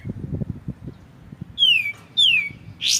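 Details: White-shouldered triller, clear-voiced, on a tutor recording for magpie-robins: two loud, clean whistles sliding downward, then a short buzzy rising note, over a low soft rumble.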